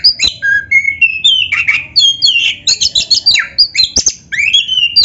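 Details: Vigorous black-breasted magpie-robin song filled with canary-style phrases, meant as a tutor and provocation for other birds: dense, rapid chatter of bright whistles, trills and squeaky notes with hardly a break.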